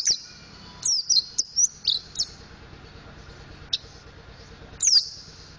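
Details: Mountain white-eye learning ngriwik and ngeplong singing: a quick cluster of high, sweet chirped notes, some rising and some falling, then a pause and a single clipped note before another descending whistle.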